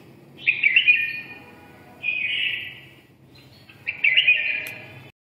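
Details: Red-whiskered bulbul of the red-eyelid type in 'ché' style song: three rich, slightly buzzy warbled phrases at about two-second intervals.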